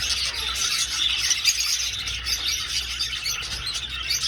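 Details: A crowd of budgerigars flying in an old aviary gives an unbroken, even stream of shrill twitters and chirrups.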